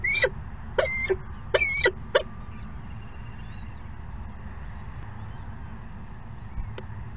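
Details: Falcon chicks begging during a second morning feeding: four short, harsh, harmonic squeals in the first two seconds, then a few faint thin chirps over a steady low background hum.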